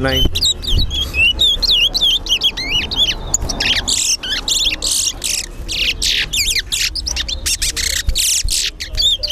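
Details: Towa towa (Chestnut-bellied Seed-Finch) competing in a bird whistling contest in Linden, caged: loud, rapid, continuous song of high whistled swoops and chirps, nearly unbroken, with faint low background murmur.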